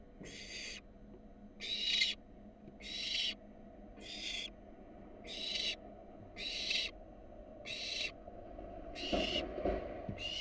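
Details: Begging calls of a wild barn owl fledgling receiving a rat at its nest box: nine separate harsh hisses about every second, with a scuffling thump near the end.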